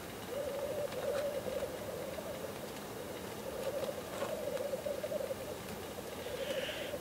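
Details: Lek display of black grouse: long phrases of rhythmic bubbling coo separated by short pauses, ending with a soft hissing sneeze.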